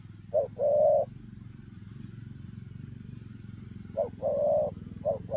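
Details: Spotted dove, 'lèo rồng' style cooing while running. Two short-then-long coo phrases separated by a pause, with a third beginning at the end, over a steady low hum.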